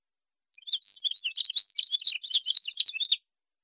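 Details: A male Atlantic canary gives a single continuous burst of rapid, high twittering and chirping notes lasting under three seconds, rising in density toward the end, with silence before and after.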